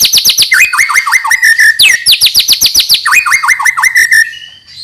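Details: White-rumped shama singing, used to lure young birds into song: continuous rapid series of downslurred and upslurred whistles mixed with harsh buzzy notes, fading at the end.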